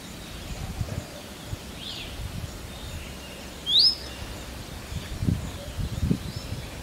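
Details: Indian robin uttering a single quick rising whistle, preceded by a faint softer note, amid rustling and low background noise.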